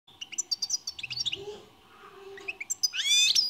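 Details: European goldfinch singing: bursts of quick, high twittering notes, a quieter pause midway, then a loud rising buzzy trill at the end; a faint steady hum runs underneath.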